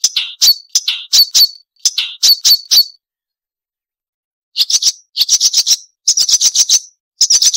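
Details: Marsh warbler song used as a training model for songbirds: bursts of sharp, rapid chattering notes in short clusters, a silent pause of about a second and a half, then denser, higher scratchy chatter.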